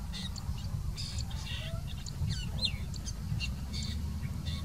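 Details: Long-tailed Shrike (tricolor subspecies) in India sings a varied, jumbled song of short chirps, harsh squawks and slurred whistles that mimic other birds' notes, over a steady low rumble.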